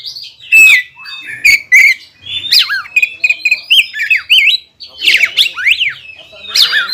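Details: Provocation song of a greater green leafbird meant to excite a rival: busy mix of sharp chips, squeaky twisting whistles and harsher slurred notes in quick succession.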